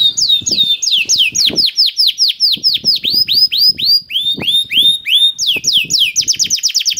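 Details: Canary song meant as a lure for other canaries to start singing: a steady sequence of loud down-sweeping whistles, a drawn-out clear note, then a fast rattling trill, with soft clicks and knocks throughout.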